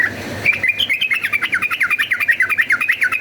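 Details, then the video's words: Yellow-vented bulbul delivering a fast fighting song used to make another bulbul aggressive: after a short low murmur, an unbroken rapid chatter of looping, up-and-down whistled notes, about six a second. "cuk cuk uplik uplik ! trucukan gacor ropel tarung"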